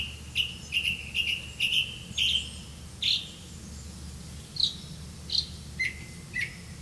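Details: Black-bellied malkoha caring for young in the nest: a run of short, sharp chirped notes, first quick and evenly spaced, then a few higher, well-separated squeaks and two lower clipped notes near the end.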